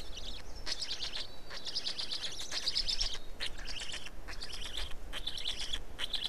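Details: Black storks feeding at the nest in Estonia on 19 May 2019: almost continuous high, wheezy, rasping calls in uneven bursts with quavering whistled tones, set against a steady background hiss.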